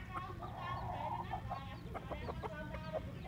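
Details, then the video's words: A hen with her lively brood of chicks outdoors beside the road to a primary school in Bình Hòa, Vietnam, in the morning in 2022. Soft clucks mix with bright, rapid chick peeps over a steady low rumble. "Gà Mái Và Một Bầy Con Siêu Quậy"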